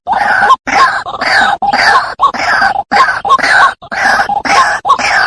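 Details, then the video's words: White-breasted waterhen sound for luring birds into traps. Harsh, throaty croaks come in quick, slightly uneven pulses, about two per second, each ending in a short upward yelp. "suara mp3 pikat ruak ruak ampuh sedunia"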